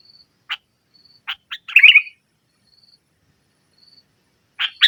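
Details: Sooty-headed bulbul singing vigorously in the nggaruda style, used as a lure for bulbuls that have stopped singing: scattered sharp single notes, then a rich bubbling warble, and a fresh note starting at the end.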